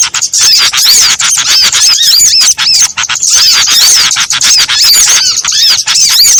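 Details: Several small birds combined in a lure for catching birds; bursts of shrill chirps and curved whistles come in dense runs separated by short quieter breaks.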